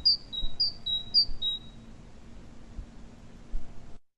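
Great tit song: clear two-note phrases, a higher note dropping to a lower one, repeated three times quickly, over a low room hum.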